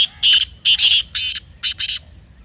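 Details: Black francolin (kala teetar) call, played to excite a kept francolin and ready it for chakri: a harsh, grating phrase of five loud rasping notes in quick succession, the middle ones doubled, over faint low background hum.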